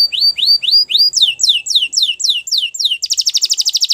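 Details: Belgian canary song used for training: rising whistled notes, then falling slurred phrases, closing with a fast buzzy trill.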